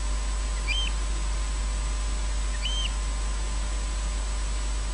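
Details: Eurasian oystercatcher (Haematopus ostralegus) calling nearby after midnight at Loch Garten, Scotland: two sharp, high piping 'kleep' calls about two seconds apart over a steady low background rumble.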